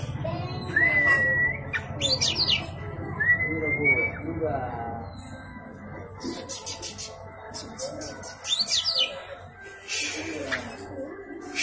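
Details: Oriental magpie-robin singing persistently, used to provoke a silent magpie-robin into singing: long steady whistled notes alternate with sharp high sweeping phrases and rapid chirps, over a constant low hum and some indoor background noise.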